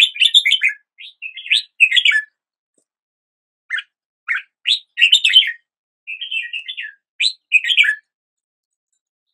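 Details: Red-whiskered bulbul in song: lively warbled phrases of slurred whistles, a quiet stretch broken by single rising notes, then more chattering and whistled bursts.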